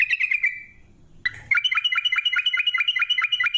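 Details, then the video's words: Sooty-headed bulbul 'ropel' lure song; a short warbled phrase, a brief rustle, then a quick even series of bright chirping notes, roughly four per second. "Trucuk gacar ROPEL PANJANG pancingan trucuk agar BUNYI, jadikan burung trucuk BUNYI ROPEL"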